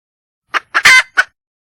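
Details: Wild red junglefowl hen calling for a mate: a short cluck, a loud harsh squawk, and one more cluck, then silence.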